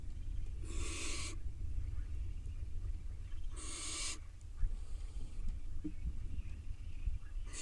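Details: Barn owl nestlings at the nest tugging over a mouse before one swallows it: two harsh, broad hissing screeches, each under a second long and about three seconds apart, over a steady low rumble.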